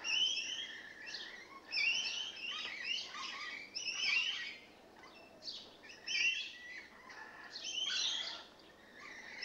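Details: Rainbow lorikeets that have moved in, keeping up busy chattering: short harsh squawks and screeches tumbling one after another, several birds overlapping.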